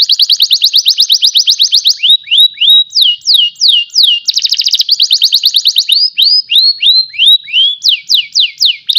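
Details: Panda canary from Pemalang, Central Java, Indonesia, sings a loud, high, continuous song. Fast ringing trills alternate with series of sweeping whistled notes that fall and then rise, with the phrases changing every second or two and no pauses.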